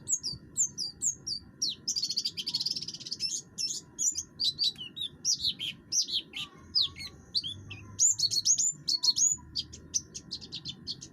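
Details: Harsh-voiced buxtoni oriental white-eye in full song, used to coax other birds to sing, pouring out a dense, rapid chatter of high squeaky and buzzy notes with few pauses, over faint low rumble.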